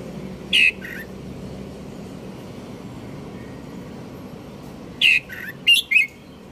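Red-whiskered Bulbul giving two short, bubbly phrases of quick mid-pitched whistled notes, separated by a long pause, over a low steady hum.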